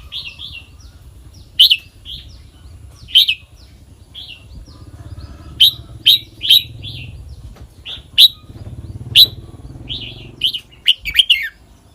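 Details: Red-whiskered bulbul singing the song pattern called kwik-jok-khwai-liang: short bright whistled phrases with sharp rising-falling notes, loud bursts spaced one to two seconds apart, then a quick run of calls near the end over a faint low hum.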